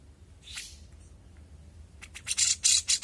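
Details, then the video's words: A young grey-cheeked bulbul gives a harsh, rasping burst, then a quick run of scratchy, chattering notes about four per second. "CUCAK JENGGOT MUDA GACOR"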